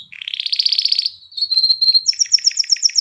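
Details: Canary singing to rouse females for breeding and coach chicks: a rapid buzzy trill, then a held whistled note, then quick paired high chirps repeated about five times a second.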